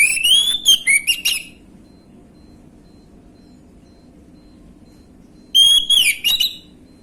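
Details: Orange-headed thrush gamblingan-style lure song meant to make young birds answer quickly: two bursts of loud, rich whistled phrases with quick stuttering notes, separated by about four seconds of near silence.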